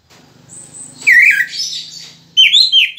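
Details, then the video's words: Orange-headed thrush during its moult, giving a short, scratchy whistled phrase followed by a brief pair of high, bright notes over a faint low hum. "anis merah 3 detik langsung bunyi"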